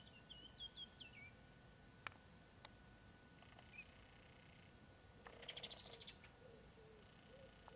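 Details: Eurasian teal (Anas crecca) at the Isonzo river mouth nature reserve, 17 March 2023, gives soft, high whistled notes in a quick run of four or five, then a brief burst of higher chattering calls over faint hiss and a sharp click.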